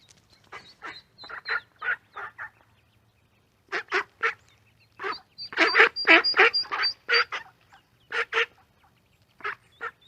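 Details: Ducks and ducklings in a pond quacking in loose series of coarse nasal calls, a quiet stretch, then a dense louder burst, with high thin peeps and a low hum underneath.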